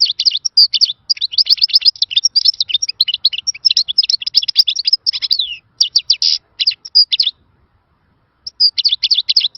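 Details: European goldfinch giving a wild-style song, a dense run of fast twittering, buzzy high notes with a few clear whistles, broken by a short pause before the chatter resumes. No other sounds stand out.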